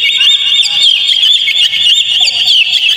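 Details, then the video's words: Lure recording of kacer (Oriental magpie-robin) song meant to set a caged bird singing: unbroken, fast, high twittering with quick slurred whistles layered densely throughout. "PANCING KACER PLAY ON"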